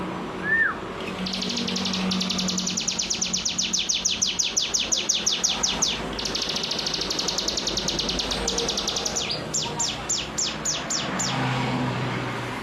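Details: Common iora performing its ngebren song: a brief whistled slur, then long bursts of rapid, high, downward-sweeping notes broken by short pauses, with a faint low hum beneath.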